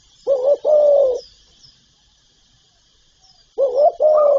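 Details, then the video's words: Spotted dove from a recording of its calling, urging and cooing repertoire used to stir caged decoy doves: two low, hollow two-part coos, each about a second long, with a pause of over two seconds between pairs, in a quiet background. "Tiếng chim cu gáy đủ bài gáy gọi, thúc, gù"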